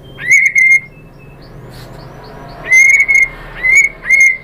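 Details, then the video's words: Shama lure to provoke a bird into singing: a few long, steady, pure whistles on one pitch, separated by quiet gaps with faint soft notes. "PANCINGAN MURAI BATU biar EMOSI jadi NYAUT IKUT GACOR"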